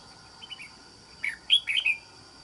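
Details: Wild-caught red-whiskered bulbul kept as a trap bird, with a wild island-forest voice: a few soft short notes, then a loud burst of bright, warbled, rising and falling whistles. A steady high electronic tone hums behind.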